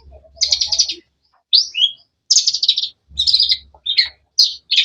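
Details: Energetic long-tailed shrike chirping in harsh, buzzy bursts and short slurred whistles, each burst under a second long, separated by brief silences.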